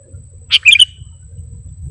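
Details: Sooty-headed bulbul lure call used by bird trappers to attract the species: one brisk phrase of four or five bright, chirpy notes lasting about a third of a second, over faint low hum.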